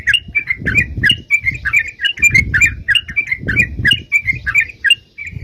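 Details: Sooty-headed bulbul singing energetically, recorded for use as a bird-catching lure: a quick, steady series of short bright chirps repeated several times a second, over continuous low background rumble.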